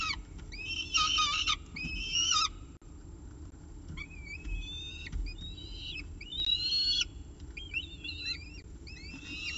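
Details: Peregrine falcon at a nest with a pigeon at breakfast, October 2018: loud harsh arched calls at first, then a run of quicker, thinner chattering notes, steady low hum beneath.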